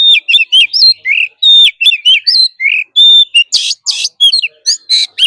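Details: Oriental magpie-robin kept in a cage, performing forest-style training song: clear whistled phrases and bent slurs alternate with harsh buzzy bursts, delivered in quick irregular succession with short gaps.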